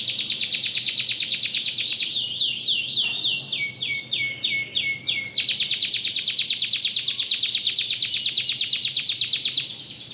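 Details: Canary singing: a rapid high trill of repeated notes, breaking midway into a series of quick descending slurred whistles, then returning to a dense, fast, even trill.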